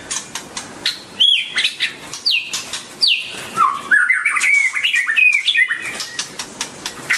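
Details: White-rumped shama song opening with sharp clicks and chips, then sweeping downslurred whistles and a long, rapidly wavering warble of mid-pitched notes.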